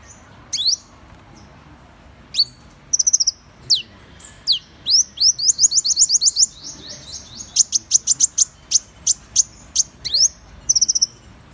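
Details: Van Hasselt's sunbird singing a long, lively sequence: scattered piercing chips give way to fast runs of thin, high, rising notes, then a steady series of short ticks and a final twittered flourish.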